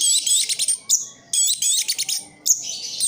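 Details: Kept orange-headed thrush from East Java pouring out dense, scratchy high trills and twitters in two long bursts separated by a short clear whistle and a brief lull.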